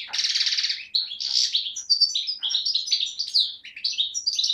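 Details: European goldfinch, subspecies parva, a 2011 young bird from Beni Snassen near the Moroccan–Algerian frontier, recorded 8 January 2012, opens with a harsh buzzy trill, then runs into a fast chain of liquid twittering phrases.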